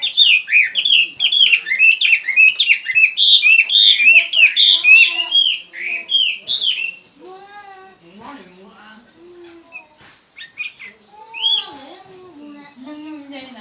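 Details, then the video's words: Chinese hwamei singing: a fast run of loud, rich whistled phrases rising and falling and repeated in quick succession, then quieter, lower slurred notes with pauses and a brief bright burst near the end. "chim hoa mi hot"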